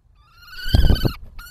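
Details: Common kestrel pair at a nest box, the male passing prey to the female, recorded on 28 March 2024: one drawn-out, thin, whining call holding steady pitch, with soft thumps and shuffling inside the box, then a brief second call.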